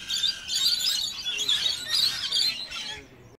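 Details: Feeding rainbow lorikeets at sugar water in a suburb keep up rapid shrill chattering screeches, many notes a second, fading toward the end before cutting off.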